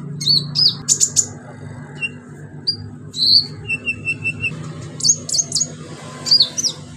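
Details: Orange-headed thrush in full song, used as a lure to prompt silent birds to sing: short high whistled notes and quick upslurred chirps in scattered bursts, with a low steady hum underneath.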